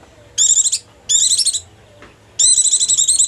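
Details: Lure sound of a white-eye, played to draw in wild birds: three short bursts of high, fast, twittering trills with brief silent gaps between them.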